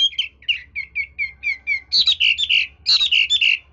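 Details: Hwamei with a skilled changing voice: a run of short falling whistles repeated several times a second, then louder rich warbled phrases.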